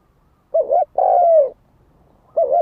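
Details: Spotted dove cooing as a decoy to provoke fights: a brief double note and a long, gently falling coo, then silence before the next double note begins.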